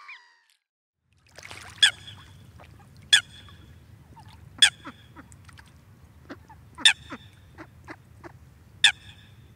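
Sharp, explosive single coot calls ring out every one to two seconds, with softer clipped notes between them over a low rumble of wind or water.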